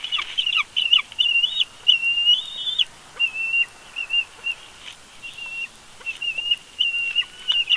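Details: Bald eagles at a nest in Big Bear, captured by a live nest camera during a family conflict: a series of high, thin piping whistles, some drawn out and wavering, others short chips in quick bursts, with quiet pauses between.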